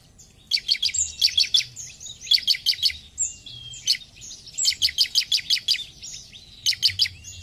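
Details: Bar-winged prinia (ciblek) in energetic song: repeated bursts of rapid, high, ticking chirps, four to seven notes each, coming roughly every second with short pauses; faint low background noise.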